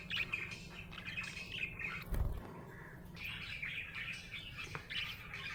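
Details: Chirping budgie in a happy mood, squeaky warbled chatter interrupted by a short low thump around two seconds, then resuming its twittering over a soft hum.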